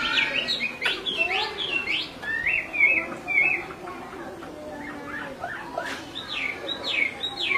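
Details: Restless male and steadily calling female Chinese hwamei: repeated steep up-slurred and down-slurred whistles, grouped in short bursts, with a few clicks and a low hum beneath.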